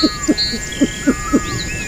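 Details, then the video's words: Pheasant from Southeast Asia uttering five short, low, hoot-like pulses at uneven spacing over faint high birdsong and a steady insect hum. "Southeast Asia Pheasant/G'awꞈ/ไก่ฟ้า"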